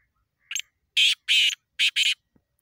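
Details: A Black francolin (kala or sindhi teetar) call: a short, soft lead-in note, then four loud, rasping, buzzy notes in two close pairs, all within about a second and a half, with clean silence around them.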